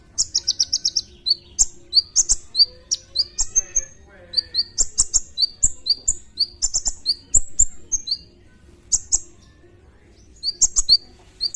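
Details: Sunbird, known locally as kolibri ninja (konin), in a training recording full of rapid song bursts: high, thin, sharp chirps and short downslurred notes packed into dense runs, with brief gaps and a faint low background hum.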